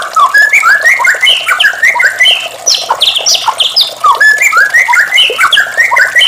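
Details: White-rumped shama singing in the morning: a dense rich stream of varied whistled phrases, rising and falling slurs and quick chattering notes, continuous and lively throughout.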